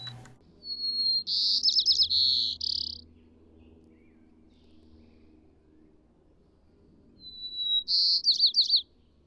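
White-crowned Sparrow singing twice: a clear whistled opening note followed by buzzy trills and a burry ending, over the low drone of a passing airplane.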